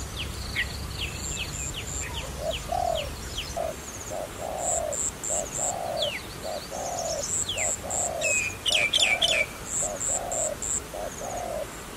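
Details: Dove used for trapping coos in evenly spaced short and long notes. Another bird adds rapid high pulsed notes, whistled downslurs and quick trills over the cooing.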